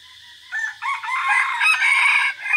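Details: Decoy red junglefowl crowing in forest on 3 April 2024, one of several decoy birds: a long harsh crow of rough, broken phrases rising and holding for about two seconds over a steady high insect drone.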